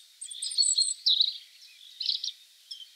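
A European Robin sings thin, high, tumbling phrases of varied twittering notes, each burst under a second and separated by short pauses.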